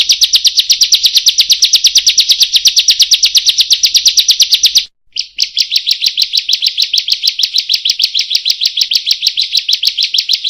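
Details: Prenjak or ciblek, the bar-winged prinia, delivering a long 'roll tembak' song: a dense, even rattle of high metallic chirps lasting nearly five seconds, a short gap, then the rapid chirping resumes just as steadily.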